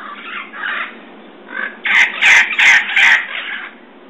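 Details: Red-crowned parrots in San Diego, California, on a March evening in 2011 at 6:34 PM, giving loud harsh screeching squawks, four strong rapid shrieks in a row after softer raspy calls.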